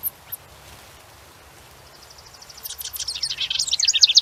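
A House Wren bursts into song after a quiet start: a rapid, bubbling jumble of high, varied notes that grows louder, over faint background hiss.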